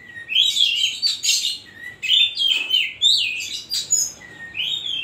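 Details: Kacer (Oriental magpie-robin) in full, busy song of the 'isian koslet' type, loud fluty whistles sliding up and down, braided with scratchy buzzy notes in almost continuous phrases.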